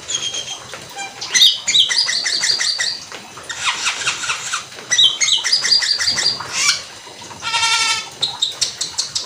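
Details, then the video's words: Cucak keling (black-winged myna) singing in the rapid 'gacor teler full isian' style meant to provoke rival birds: dense strings of rasping, stacked notes, clipped chattering phrases and a rattling buzzy burst near the end. "Cucak Keling gacor teler full isian cepat bikin emosi cak Keling lain biar ikut bunyi teler"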